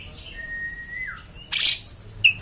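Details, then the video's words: Oriental magpie-robin singing in a harsh rasping beset style: one long level whistle that slides down at its end, then a loud scratchy burst and a short sharp note. "kacer beset beset kasar bikin emosih"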